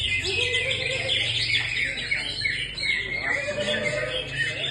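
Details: Wild greater green leafbird singing: a busy, continuous run of high chirps, trills and warbled notes with no gaps, over a steady low hum.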